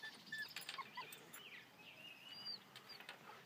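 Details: Purple martins in Elbert County, Georgia, chatter in overlapping gurgling chirps and rising, throaty warbles from several birds at once, with a soft outdoor hiss behind.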